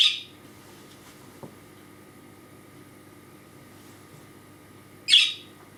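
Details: A male pet budgerigar, kept in a small cage beside the computer because hurt wings leave him unable to fly, gives two short, harsh, high 'kärrö' chirps about five seconds apart. He calls for attention whenever he is not watched. The room is otherwise quiet.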